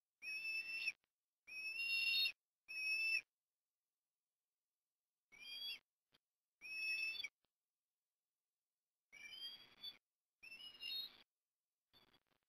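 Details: Afternoon food deliveries at an osprey nest in Port Lincoln, Australia, October 2021: a series of shrill whistled calls, each under a second with bright overtones, given in bunched groups of two or three with short pauses between groups.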